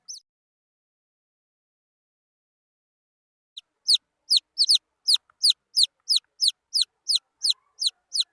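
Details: One brief peep, a few seconds of quiet, then wild junglefowl chicks start a rapid run of high falling peeps.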